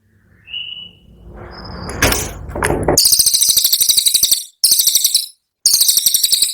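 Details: Brown cililin in a bird-keepers' training recording of its rapid burst song: very fast, buzzy, high-pitched pulsed trill delivered in three bursts separated by short gaps, preceded by a soft thin whistle and a rushing noise.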